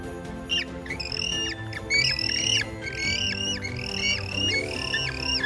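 Penguins give a run of high, squawky calls, each sliding up and then down, overlapping several times a second like a busy colony, over a soft music bed.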